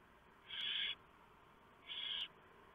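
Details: Barn owl at its nest in the small hours of November 3, 2015, while the male drops off a huge mouse for the owlets. A pair of harsh, even hissing screeches, one following the other after about a second.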